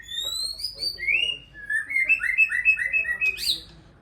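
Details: Caged Aceh white-rumped shama singing a rapid, varied run of clear whistled notes, some sliding up or down, the pitch stepping higher toward the end, with faint low background hum.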